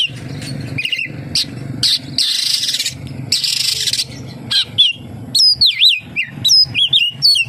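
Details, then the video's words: Oriental magpie-robin song filled with kapas tembak imitations. It opens with harsh, noisy bursts and scratchy notes, then turns into a quick series of sharp, looping whistles that rise and fall. "SUARA BURUNG KACER, FULL ISIAN KAPASTEMBAK"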